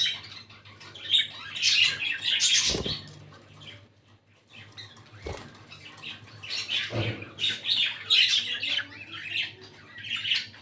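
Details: Captive breeding pair of red-eyed lutino and albino budgerigars twittering in scattered bursts of scratchy chirps, broken by a few sharp knocking clicks and a quieter lull midway.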